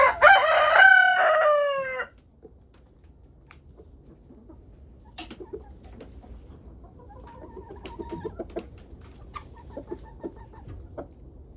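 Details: On a homestead during a twenty-degree warmup to 37 degrees, a rooster gives a strong two-second crow, rich in harmonics and sliding downward, then the flock carries on with faint, irregular clucks and brief murmured calls.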